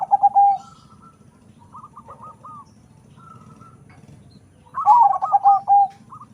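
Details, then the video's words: Local-Bangkok cross zebra dove prized for its powerful voice, giving loud clipped coo bursts at the start and again near the end, separated by softer distant rolling coos over steady low background noise. "PERKUTUT CROSING PERPADUAN LOKAL BANGKOK SUARA SUPER BESAR"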